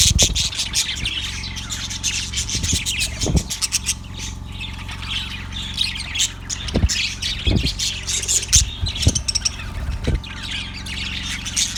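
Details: Chirping from a yellow budgerigar, dated February 18, 2024: long stretches of fast, rasping, warbled high chatter broken by short low knocks, with a droning hum throughout.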